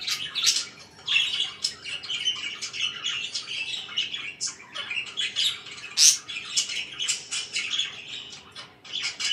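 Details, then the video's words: Morning chatter of pet budgies, a busy stream of scratchy chirps and short squawks, several birds overlapping, with one sharp high note standing out near the middle. "CHIRPING IN THE MORNING"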